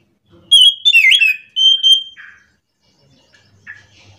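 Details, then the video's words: Scaly thrush (anis macan) singing in the morning in rolling ngerol style: loud high whistled phrases, a bright sliding note and a level sustained whistle, then a softer trailing note before near silence. "kicauan Anis macan gacor ngerol"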